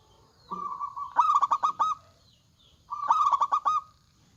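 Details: Zebra dove, local bird in strong song with a loud voice: two phrases, each opening with a smooth steady coo and breaking into a quick series of loud pulsed notes.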